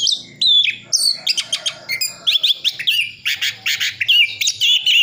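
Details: Orange-headed thrush isian full song from Sidoarjo, East Java: clear whistled slurs, stuttering clicks and rapid chips in quick series, ending in long sweeping whistles, with a faint low hum.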